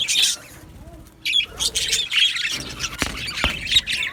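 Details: Budgerigar colony in an aviary: bursts of high chirping and squawky chatter, broken by a brief quieter gap near the start, then sharp clicks and scattered whistled notes.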